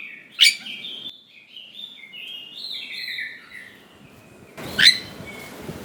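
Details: Oriental magpie-robin lure song for young wild-caught birds: soft, slurred whistled phrases wavering at mid-high pitch, framed by two sharp loud notes, with faint background noise.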